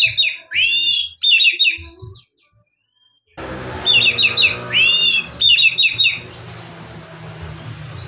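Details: Oriental magpie-robin in relaxed "ngeplong" song, used to prompt other magpie-robins that are reluctant to sing: loud, rapid bursts of sweeping whistled notes and rising slurs, a silent pause, then more phrases over a hissy, rumbling background.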